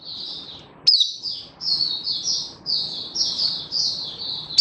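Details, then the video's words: Oriental white-eye happy song from 24 February 2023: slightly buzzy, slurred, high warbled phrases running steadily, one sharp click near the start, with low background noise. "Mata Puteh Happy Buka Sing"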